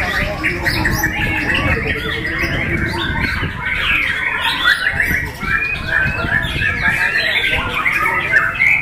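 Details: Contest white-rumped shama in a cage, singing with open beak after its setup changed from bowing courtship display; loud mixed chattering, squawky notes and bright whistles over busy background noise and faint voices.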